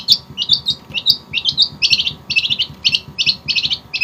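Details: Long-tailed shrike of Java in 'gacor' singing: quick high chirps that change into rhythmic doubled, stuttering notes, about two a second, over a low background hum.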